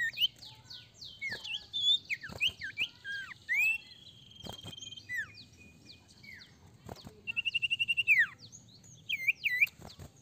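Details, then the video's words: Sirtu singing continuously, meant to prompt untrained sirtu birds to start singing fast: a lively jumble of high slurred whistles, sharp clicks, a steady drawn-out tone, then a rapid run of evenly repeated notes and looping whistles. "Sirtu gacor ampuh sangat pancing sirtu bahan cepat bunyi"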